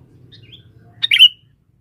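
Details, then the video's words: Caged male sooty-headed bulbul serving as a lure in the forest gives a single loud, abrupt chirp with a quick whistled ending, preceded by a couple of faint soft notes. "pikat burung kutilang jantan buat pancingan di dalam hutan"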